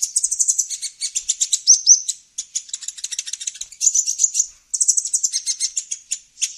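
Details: Olive-backed sunbird (kolibri ninja) lure recording for wild birds: rapid high chattering in long runs of ticking notes, with a couple of brief slurred whistles and short gaps.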